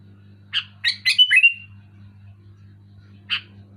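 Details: Loud, clear Sooty-headed bulbul phrase: one harsh note, then a fast tumbling group of gurgling notes ending in a short falling whistle, followed by a pause and one more chip; faint steady hum underneath.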